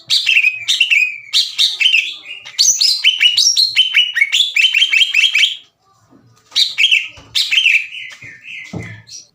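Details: Loud, ringing song from a caged greater green leafbird, past its ngeriwik phase and singing its own fill-in phrases. Rapid downslurred whistles repeat in dense runs, then a short silence and a few slower, sliding notes.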